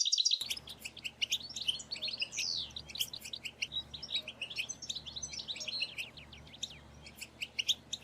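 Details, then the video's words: Dense chorus of European goldfinches calling together in batbata chatter, the group calls used to prompt males to sing and mate; overlapping rapid tinkling notes, upslurred twitters and buzzy trills fill the whole stretch. "بتبتات رهيبة في تحفيز الحسون على التغريد"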